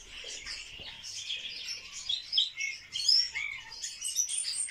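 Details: Courtship-dancing barred warbler: a continuous harsh, grating warble of jumbled high chirps, rising in loudness in the second half.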